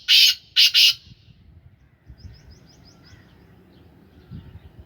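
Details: Pet black francolin of Sindhi Gangas strain, in its third calling season, gives three loud rasping bursts at the start, followed by a row of faint high chirps from another bird over low background rumble.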